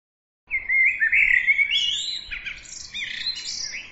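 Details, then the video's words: Bird singing a continuous, lively warble of sliding whistles, chirps and high twitters lasting over three seconds without a break. "bird عصفور"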